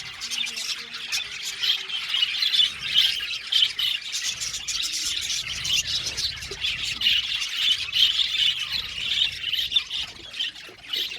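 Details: Budgies housed as an aviary colony give a continuous stream of chirps, trills and squawky notes, with sharp clicking accents repeating through the chatter.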